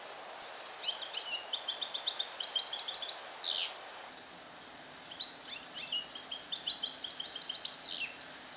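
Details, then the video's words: Caged European goldfinch, a captive-born 2021 male trained to sing Neapolitan passata, temporarily isolated in a small carrier. Two long, fast phrases of liquid twitters, high chiming notes and sweeping downslurs, with a brief pause between them. "Cardellino Passata Napoletana 2021 - KH24 - European Goldfinch - Jilguero cate limpio"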